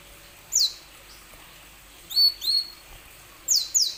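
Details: Plain sunbird song used as a lure to prompt other plain sunbirds that are reluctant to sing: short high thin notes sliding downward, given singly and in pairs with pauses between.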